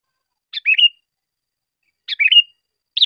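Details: Sooty-headed bulbul song for training cage birds: two brief warbled phrases about one and a half seconds apart, each a quick rising-and-falling whistle ending in a drawn-out note, over silence.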